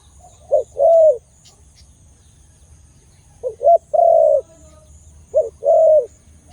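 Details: Khmer dove with a big voice gives three cooing phrases. Each has two short low hoots and then a long, steady, mellow coo, spaced about two and a half seconds apart over a quiet background.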